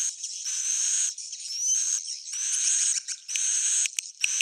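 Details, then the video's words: Swiftlet calls in an old-style sound said to be proven: dense, high, buzzy twittering in bursts of about a second, broken by short gaps, with thin whistled strands running through the noise. "SUARA JADUL Sudah Terbukti,swallow's original sound"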